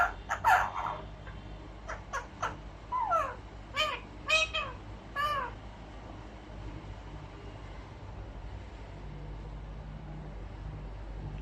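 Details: A pet talking ringneck, tagged as an albino rose-ringed parakeet, gives a run of short, harsh, speech-like syllables over about five seconds, then falls quiet against a low steady room hum.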